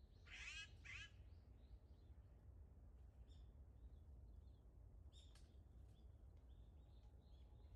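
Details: Azure-winged magpie heard on 15 December 2021, giving a pair of harsh, grating calls in quick succession at the start, then softer faint chatter and ticking notes against low steady background noise.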